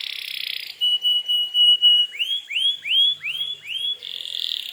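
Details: Singing canary used as a lure to provoke rival canaries into replying: a buzzy trill, then a flat whistled tour, then five or six looping upswept whistles, ending in another buzzy roll.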